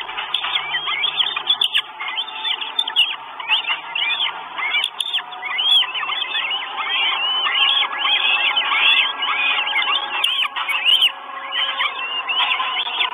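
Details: Nest of four Northern goshawk chicks in Estonia, 1 June 2022, live camera stream, chicks begging for food: a long, steady run of many overlapping whining squeals, thickening into a nearly continuous chorus.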